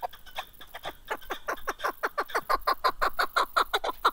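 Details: Chukar partridge, known locally as keklik, giving a quickening series of hoarse chuk-chuk notes that grow louder and more rapid toward the end, nearly three per second.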